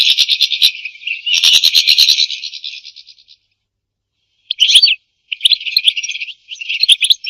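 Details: European goldfinch singing, a recording meant for mating and for tutoring goldfinches in song: a dense, buzzy twittering burst lasting about three seconds, a pause, then shorter twittered phrases.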